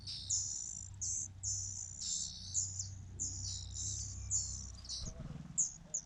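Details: Fujian niltava chicks calling for food from their mother: a series of high, thin, sibilant squeaks repeated about once a second over a steady low hum.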